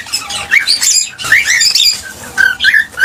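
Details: Cockatiel chatter meant to prompt mating and breeding: dense, scratchy warbled phrases mixing squeaky rising whistles and harsh notes, ending in shorter separate chirps.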